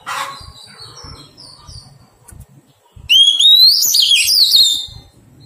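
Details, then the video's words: Wild-caught Oriental magpie-robin being tamed. Soft chattering notes come first, then a single loud song phrase: a steeply rising whistle followed by a burst of varied warbled notes lasting nearly two seconds. "Thuần hóa chòe than bổi"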